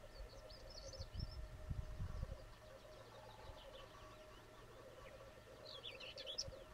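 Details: Lekking black grouse, several birds, on the Sallandse Heuvelrug heathland in Overijssel, Netherlands. A low, dovelike bubbling rolls on continuously beneath rumbling background noise, with brief twittering from small birds at the start and end.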